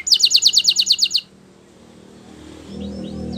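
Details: Training song of a Belgian canary for young canaries. A short loud pulsed trill of about ten notes, then near silence with faint rising whistles and a low background hum.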